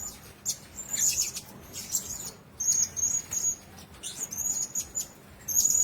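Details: Several caged blue-crowned hanging parrots utter sharp, high-pitched drawn-out whistles and scratchy chirps, with brief silent gaps between groups of notes.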